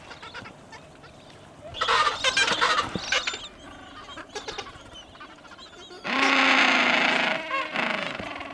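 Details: Gentoo penguins calling at Orne Harbor: two loud, harsh braying bouts, one near the middle and a longer, stronger one toward the end, with scattered quieter rasping calls between them.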